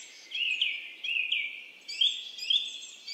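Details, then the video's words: Himalayan goldfinch uttering a series of high, thin twittering notes, four short rising chirps spaced about half a second apart over a steady hiss. "himalayan goldfinch"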